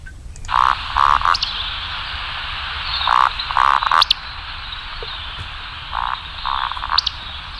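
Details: Recorded Eurasian woodcock call, a sound usually made in the breeding season, played back in the Basque Country; low croaking grunt bursts in short clusters, with sharp high squeaky notes between, over a steady hiss.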